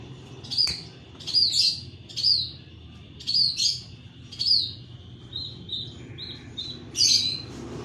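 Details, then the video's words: Long-tailed shrike chirping with short, bright, high chirps in irregular bursts roughly every second, some doubled, then a run of quieter thin notes before a final loud chirp, over a low rumbling background. "just got the long tailed shrike chirping immediately"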